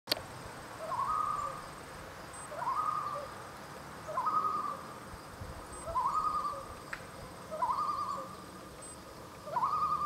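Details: A distant, barely visible common loon at Horn Pond, Maine, gives six mournful notes, each sliding up then holding steady, about every one and a half seconds against a quiet, still background.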